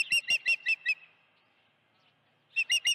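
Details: Osprey at its nest with a live fish, 16 June 2019, mid-afternoon: a quick series of five piercing, high whistled chirps, a brief near-silent pause, then three more loud chirps.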